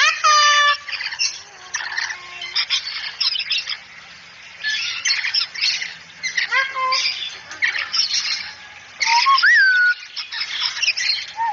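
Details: Cockatoo from a training recording for a talking cockatoo said to say "assalamualaikum": a series of loud harsh squawks and rasping bursts, broken by short flat tones and one rising whistled note.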